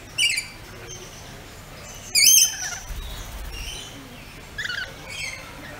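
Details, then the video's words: Pet rainbow lorikeets give three harsh, grating screeches spaced a couple of seconds apart, with thin high notes and soft background chatter in between. "Rainbow Lorikeet Making Calls"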